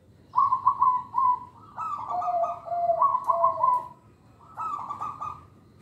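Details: Local Indonesian zebra dove whose song is used to lure young birds and to train other doves. Three bursts of rolling, purring coos, bubbly and trilled, each lasting about a second, with brief pauses between phrases.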